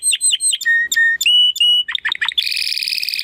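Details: Belgian canary singing clear whistled notes in short repeated phrases at changing pitches, then quick downslurs and a fast rich rolling trill.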